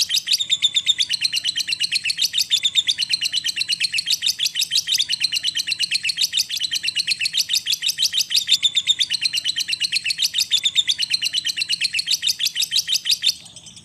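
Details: Lovebird in long 'ngekek' chattering, used as a lure to stimulate other lovebirds to sing; rapid, continuous high chirps repeated several times a second for about thirteen seconds, with brief dips in the stream, ending abruptly.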